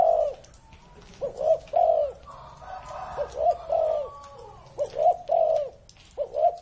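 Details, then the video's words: Spotted dove aged over thirty years, cooing in mellow low phrases of two or three notes. A faint crowing sound rises briefly in the background midway. "CU GÁY CỤ hơn 30 năm tuổi"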